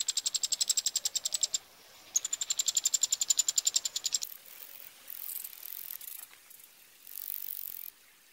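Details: Eurasian wryneck chicks calling while being fed, Pribytki, Russia, 2 July 2018: rapid high buzzy rattling ticks, about four per second, in two bursts separated by a short pause, then fading into softer hissing noise.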